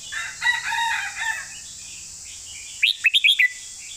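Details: Red-whiskered bulbul singing a 'phleng mae bot' (master song): blurred, harmonic warbling at first, then a quick burst of five bright, sharp whistled notes near the end, over a steady high hiss.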